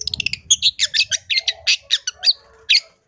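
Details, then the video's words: Long-tailed shrike singing 'gacor', full of 'isian' fill-ins, for masteran use: quick ticking notes, then loud harsh chirps and squeaky syllables spaced about every fifth of a second, with a soft low hum behind. "CENDET GACOR FULL ISIAN"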